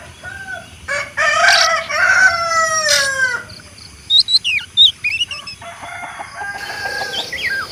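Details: Rooster crowing with a rising first syllable and a long, falling harmonic drawl, followed by several quick high chirps and twittering from other birds.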